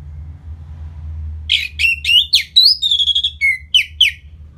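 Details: Orange-headed thrush song from Bali, used to make the bird more aggressive after moulting; after a quiet start, a quick run of rising whistles and a steady held note, with faint low hum underneath.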